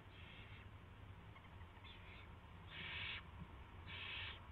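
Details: Owl at 7:05 PM on March 2, 2016 while a rat is delivered: two faint hissing screeches, then two louder, harsher ones about a second apart, over low steady hum.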